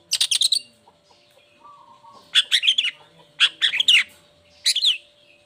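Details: Long-tailed shrike (cendet) lure meant to make lazy or moulting shrikes sing: quick clusters of four to six scratchy, chattering notes separated by short pauses, a soft low warble in one gap, steady faint hum.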